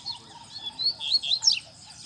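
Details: Double-collared seedeater (coleiro) singing strongly in a town square: a quick run of high, sweet whistled notes and sharp downslurred chips forming one bright phrase, with faint background hum.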